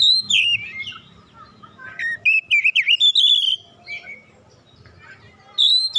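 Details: Oriental magpie-robin, a kacer still in training (bahan) provoked into singing: varied loud whistled phrases around high pitch, slurred rising and falling notes in bursts with pauses, low background hum.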